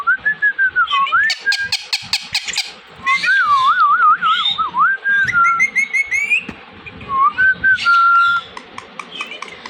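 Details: Indian ringneck parakeet imitating talk: a wobbling mid-pitched whistle that recurs between bursts of rapid, bright chattering syllables and clicks, with phrases run together over about ten seconds.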